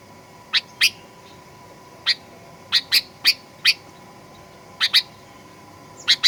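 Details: Sooty-headed bulbul giving lure song in fighter style, meant to provoke other birds into aggressive singing: short harsh chirps, often paired, spaced irregularly about once a second over a faint steady hum.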